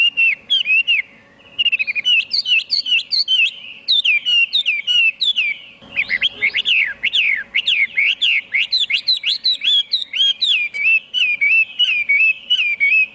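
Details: Extended Chinese hwamei song, dense and energetic: quick chattering whistles and trills, a brief pause near the start, then rapid rising-falling slurred notes packed closely, ending in evenly repeated whistles.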